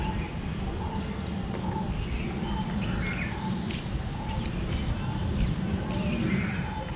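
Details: Barbets calling in a Delhi garden among California poppies: a low hooting note repeated steadily, roughly every 0.8 seconds, over a constant mechanical hum, with thin high chirps from other birds scattered throughout.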